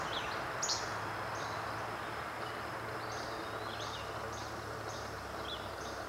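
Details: Least flycatcher singing at Hicks Run Wildlife Viewing Area, Elk Forest, Pennsylvania, on June 16, 2013: short, sharp, high 'che-bek' notes about once a second, partly masked by steady low rumble and broad background noise.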